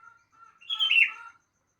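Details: Sooty-headed bulbul singing in the morning: a soft steady tone, then one bright, warbled phrase of about three-quarters of a second that rises and falls before going quiet.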